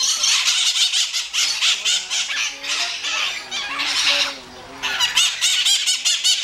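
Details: A pair of white-eyed parakeets (Psittacara leucophthalmus) at the Iguaçu bird park squabble in a constant stream of harsh, grating screeches and chatter, pausing briefly before flaring up again loudly. Their identity as genuine is doubted.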